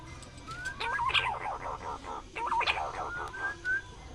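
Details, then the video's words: Pink-necked green pigeon calling: smooth rising whistles and a few short wavering notes, mixed with bursts of harsh, noisy chatter in the same range. "suara punai daun"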